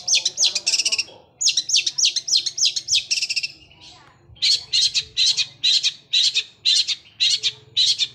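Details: Long-tailed shrike delivering sparrow-like song in rapid sewing-machine rolls: tight runs of high buzzy chirps, a short pause, then steady chirps repeated about three per second.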